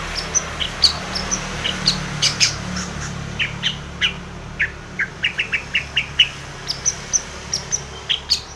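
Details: Long-tailed shrike calling, used to provoke a rival into calling: short sharp high chips and squeaks, scattered irregularly through the clip, some in quick pairs, over a low steady hum.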